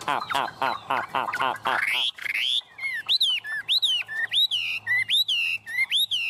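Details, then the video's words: Tame Chinese hwamei perched on a hand, singing vigorously: harsh rapid notes give way to loud rising-and-falling whistled phrases, repeated roughly every half second. "Họa mi ôm cóng cực sung trên tay - Chim thuần đét đẹt"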